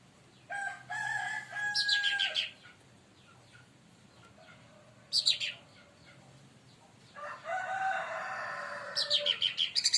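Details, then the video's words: Leafbird (cucak ranting) singing loudly, agitated after being provoked by another bird; clear harmonic whistled notes sustained about a second each, mixed with bursts of rapid high descending chirps. "cucak Ranti bahan auto esmosi||dipancing Burung ini"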